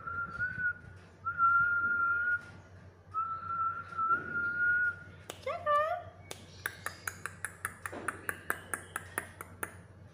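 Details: Cakra, a talkative pet black-capped lory, gives three long, level whistles, then a harmonic, voice-like phrase and a fast series of sharp clicking pings.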